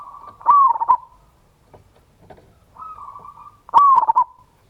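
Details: Local zebra dove singing a loud lure song in the ngayer kerot nutut style, meant to spur other doves to sing: two clicking, warbled coos near the same pitch, with a softer level whistled phrase between them.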